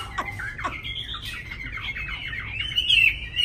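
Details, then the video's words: Domesticated Chinese hwamei in a cage, Hà Nội, opens with a few sharp downward notes, then sustains a thin, wavering whistled line that rises to a louder, brighter flourish at the close. "Mi thuần cb9106 sáng đẹp hót tốt"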